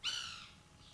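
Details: White woodpecker feeding on banana gives a single harsh, strongly harmonic call that starts loud and fades over about half a second.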